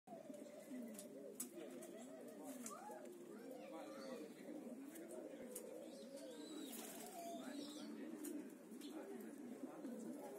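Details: Homing pigeons cooing as a group: many low, rolling, wavering coos overlap into a continuous murmur, with faint clicks and rustling throughout.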